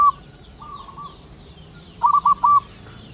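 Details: Male local wild zebra dove calling a female: a soft fluttering cooing phrase, then a loud phrase of three quick rolling coos, with a fainter dove answering in the background.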